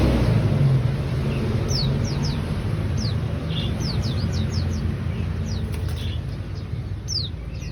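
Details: Lively ciblek song of sharp, high descending whistles delivered in quick bursts with short pauses, against continuous low droning background noise.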